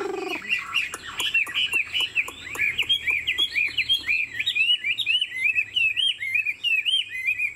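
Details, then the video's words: Caged Chinese Hwamei, described as 90% pure-bred, singing while bobbing its head in the 'lion dance' style and flicking its wings: a continuous run of varied, loud, looping whistled phrases with quick slurred notes, a faint steady high hum behind. "Họa mi thuần 90%, chơi cánh, hót gật gù múa lân"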